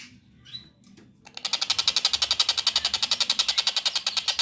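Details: Young long-tailed shrike singing a fast run of harsh, buzzy notes repeated about four times a second after a few faint sounds at the start.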